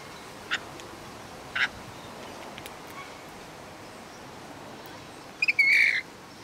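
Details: Australian rainbow lorikeets in a backyard: a few faint, brief squeaks, then two quick clipped notes and a loud, drawn-out, harsh screech near the end.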